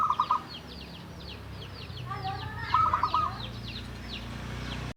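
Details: Javanese local zebra dove, in captivity seven years and singing steadily, meant to coax other doves to sing: two brief runs of rapid, clipped coos, the first at the start and the second midway, against dense high chirping from many other birds.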